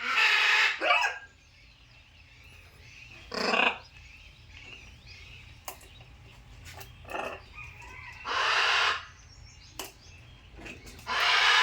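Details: Macaw giving loud, harsh squawks in short bursts, about four separate calls spread over the stretch with quieter gaps between, faint chirping of other birds in the background.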